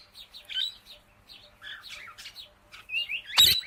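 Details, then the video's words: Ringneck parakeet chirping: a run of short, high, twittering chirps and rising whistled notes, then one sharp, loud screech near the end. "Amazing Parrot Chirping Sounds"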